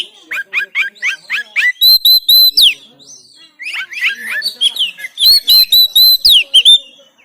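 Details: Oriental magpie-robin in Banten, recorded by Android phone as training material, sings quick rising chirps followed by strings of clear, high, steady whistles, several per second, repeated in two waves.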